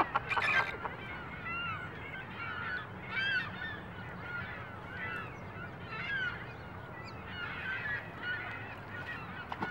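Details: Chilean flamingos at Tracy Aviary, Salt Lake City, Utah, one doing head-turning courtship moves: a dense, overlapping goose-like chorus of nasal honks over a steady low rumble.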